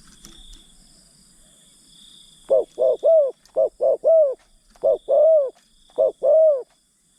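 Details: Decoy spotted dove coaxing wild birds, trapping use: after a quiet start, loud mellow coos of two short notes then a longer slurred descending note, repeated four times, over steady high insect buzzing.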